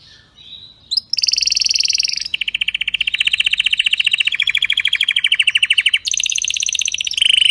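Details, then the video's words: Strong, mistake-free canary song played for canaries to learn: a brief soft note, then long rapid rattling trills in successive blocks at different pitches, ending with a higher, louder roll. "canary singing تغريد قوي جدا وبدون أخطاء لتسميع الكناري"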